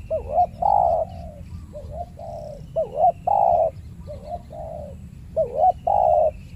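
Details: Territorial spotted doves in a banana plantation, a fierce resident bird facing a trained decoy during trapping; loud bouncing coos, a wavering rising note then a long steady coo, repeated in phrases about every two seconds.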